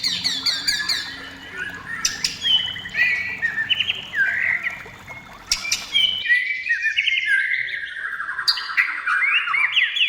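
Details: White-rumped shama in vigorous song, used to provoke other shamas into singing: fast varied phrases of whistles, sweeping slurs and chattering notes, with a pause near six seconds before the song resumes.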